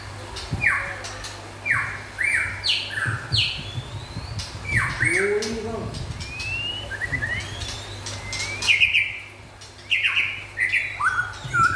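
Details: White-rumped shama, local and forest birds, in a lively song of loud downward-sweeping notes and quick rising whistles, with scattered harsh chatter, a low steady hum underneath and a brief low murmur midway.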